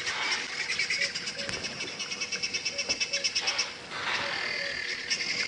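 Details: Helmeted Guineafowl alarm calling at Djuma Game Reserve on a 7:00 AM drive, 9 October 2016, as a leopard approaches, with other birds also alarming: harsh, rapid, rhythmic chattering pulses in dense bursts, overlapping callers and a brighter tonal note early on.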